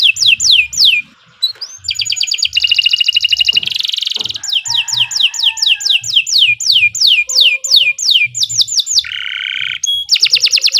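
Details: Canary in long continuous song, used for training other birds: repeated descending whistles alternating with dense rapid trills, a low buzzy passage near the end, then fast high notes.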